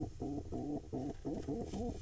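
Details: Male pigeon joining a female for courtship dancing inside a barn owl nest box in Israel's Hula Valley, 4 July 2021: soft, throaty coos with wavering harmonics, about six short phrases in two seconds, quiet and slightly muffled.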